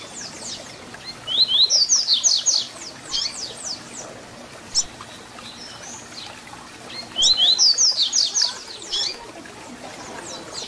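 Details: Two strong phrases of the Tui Tui Zel Zel fibra song from a double-collared seedeater, a tutor recording for young birds. Each phrase is a fast string of sharp, high, slurred whistles, followed by sparse softer notes and quiet hiss between them.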